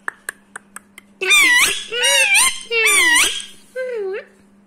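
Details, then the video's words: Seven-year-old rescued male Indian ringneck (rose-ringed) parakeet in India, rubbing his beak, gives faint clicks then three bursts of harsh, warbling speech-like chatter with sliding tones, followed by a shorter phrase. "rubbing beak and talking bird"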